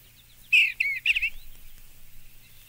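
Eastern Bluebird giving a short, soft warbled phrase of three or four liquid, slurred notes in under a second, over quiet background.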